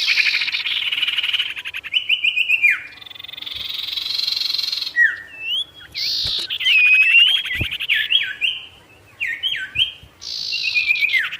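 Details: Extended Sirtu song to provoke wild birds: dense buzzy rattles broken by looping whistled slurs and short downswept notes, ending with a strong buzzy burst.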